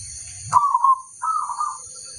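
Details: Local zebra dove of a crossbred line singing actively as a tutor recording: a short low note, then two drawn-out warbling coos around mid-low pitch, the second slightly higher and steadier, with faint low rumble and a steady high hiss.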